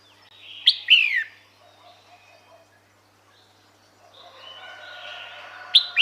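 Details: Female red-whiskered bulbul calling to attract males: two loud, short descending notes about five seconds apart, each falling sharply with a clicky start, with soft, faint chattering and background hiss between them.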